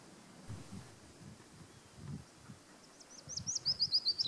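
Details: Willow warbler singing in Auld Haa Garden on Fair Isle: a soft descending series of sweet high notes enters near the end, rising in loudness, over low rumbling background noise.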